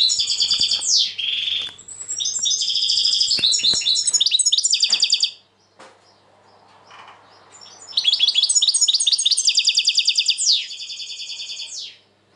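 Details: Kept European goldfinch, described as tense, in 2020 singing long fast runs of tinkling, chattering notes and rapid trills, pausing midway with quiet rustling before a second loud bright burst.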